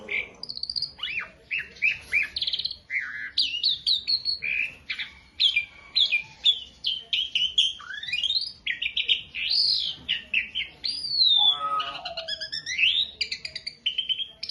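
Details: Asian pied starling, beginner stage, masteran tutor song: long continuous medley of quick whistles, upward and downward slurs and squeaky chatter, with a sweeping looped whistle near the end.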